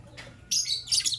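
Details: White albino and pastel green Fischer's lovebirds in the morning: a brief harsh chirp followed by a louder, grating burst of squeaky chirps, high and raspy, over faint low indoor hum.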